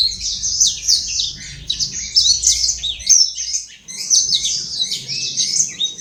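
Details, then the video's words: Energetic singing from an imported, caged black-throated canary at Legian Kelod, Bali: dense, fast high twittering and buzzy trills, a short gap near three seconds, then another rapid run of chirps. "Burung blackthroat import gacor"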